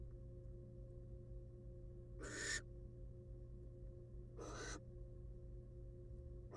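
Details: Two rasping, hissing screeches a couple of seconds apart come from a wild barn owl female. She is incubating eggs in a monitored nest box after eating a whole rat, with a steady background hum.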